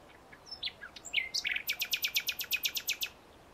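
Common nightingale singing a few varied whistles and chirps, then a fast run of about a dozen sharp, high, repeated notes over a soft background hiss.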